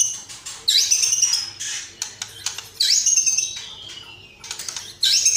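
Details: White-rumped shama singing persistently, a training recording of fighting-style song filled with house sparrow, lovebird and sooty-headed bulbul phrases; high whistled upslurs with buzzy trills, repeated roughly every two seconds between short pauses.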